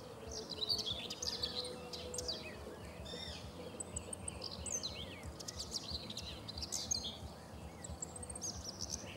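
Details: Song of a common whitethroat by the Sava river at Prečko, Zagreb, Croatia, recorded 3 June 2017: repeated hurried, raspy warbling phrases, high and jumbled, among other bird chirps and low background noise.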